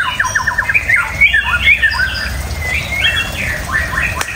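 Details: White-rumped shama delivering a busy, varied song: quick stuttered notes at the start, then twisting whistled phrases and upward slurs, fairly continuous, with a faint low hum behind.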